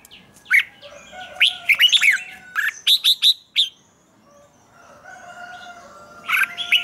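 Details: Red-whiskered bulbul (Pycnonotus jocosus), song.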